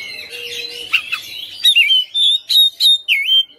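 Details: Caged Oriental magpie-robin singing hard in a fighter style, showing off mimicked fill-in notes. Low scratchy warbling gives way to a fast string of loud, clear whistles that dip and rise, about four per second.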